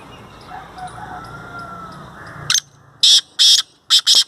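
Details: Black francolin from Sindh, Pakistan, giving a loud, rasping call. Four or five harsh, scratchy notes are spread over about two seconds, preceded by soft, distant background sound.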